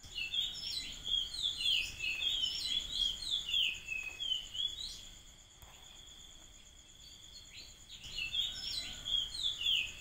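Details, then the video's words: Magpies crying: bursts of bright, warbling chirps and fluty notes, rising and falling in quick runs with a pause midway, over a steady high insect whine. "Sound Magpies Crying"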